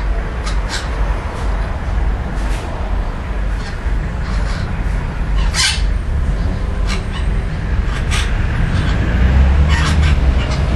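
A young magpie makes scattered short, harsh, scratchy notes, roughly every one to two seconds. A steady low rumble of background noise runs underneath.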